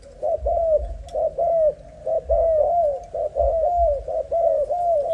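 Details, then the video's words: Young spotted dove, Malaysian strain, coos in a continuous run of soft, rounded notes, each short hoot leading into a longer curved one, pairs following closely about once a second. "Cu gáy Malaysia"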